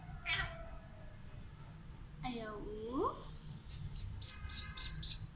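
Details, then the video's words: A pet Alexandrine parakeet talking in Urdu and Hindi. It gives a short shrill note, then a sweeping, voice-like phrase, then a rapid series of six high, sharp repeated notes at the end, against a quiet background. "Sweet Parrot Talking in Urdu Hindi"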